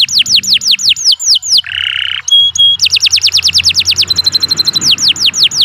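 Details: Canary singing a long, loud song meant as a tutor for other birds. It moves through repeated fast downward-sweeping whistles, a short buzzy burst, clipped metallic notes, quick rattling trills, and then more sweeping whistles. There is a low background hum.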